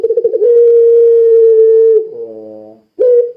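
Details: Puter pelung dove, singing to provoke other doves into cooing: a quick stutter opens a long smooth low coo of about one and a half seconds, followed by a softer tail and a new coo.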